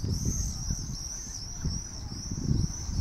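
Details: Common swifts over an old town on a summer evening at 8 pm in July, giving their "Irr! Irr!" calls: a continuous high shrill, slightly wavering scream over heavy low rumble of wind or traffic.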